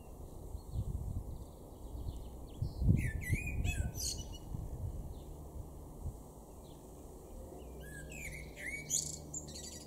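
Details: Male Common blackbird singing in a garden at Weener, East Frisia, far northwestern Germany, April 2022: mellow fluted phrases with a squeaky, twittering ending, given twice about five seconds apart over low rumbling background noise.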